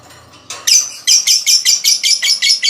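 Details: Lovebird giving 'ngekek' chatter meant to prompt other lovebirds to sing quickly; after a quiet start, a string of seven or eight scratchy, high, buzzy bursts follows in even succession.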